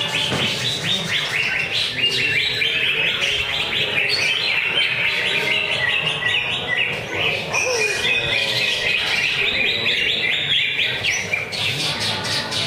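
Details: Greater green leafbird (cucak ijo) singing at a weekly Friday training contest for songbirds, a rapid, varied stream of chirps and whistled phrases with dense overlapping notes, the singing continuous throughout.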